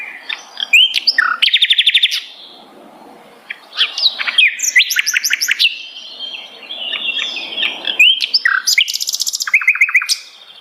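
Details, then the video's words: Sikatan londo flycatcher singing: rapid buzzy trills alternate with sharp rising chirps and short whistles in a dense, varied sequence with brief gaps. "beragam jenia dan kicauan sikatan londo"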